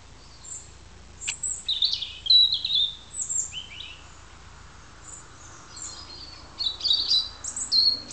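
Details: A European robin sings in autumn to declare its territory in Alyth, Scotland, on 30 September 2007. Its thin, high, wistful warbled phrases last a second or two each, separated by brief pauses, over a faint low rumble.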